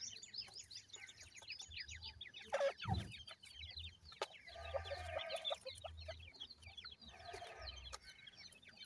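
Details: Grey francolin chicks: a continuous chorus of many soft, high, falling peeps. A dull thump comes near the start, and there are low murmuring background noises throughout.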